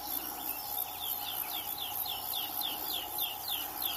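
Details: Melodious warbler singing a fast run of repeated, high, down-slurred notes, about three or four per second, over steady insect hiss and a constant low hum.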